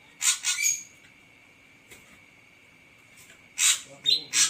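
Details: Ashy drongo giving grating, buzzy notes in a cluster, a long pause, then more harsh rasps with a brief whistle mixed in; a steady faint hum runs underneath.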